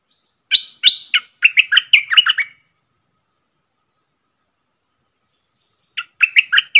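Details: Red-whiskered bulbul song, a feisty wild bird answering a caged decoy bird, 5-6-64: a brisk phrase of about nine crisp, bouncing whistled notes, then silence and a shorter second phrase.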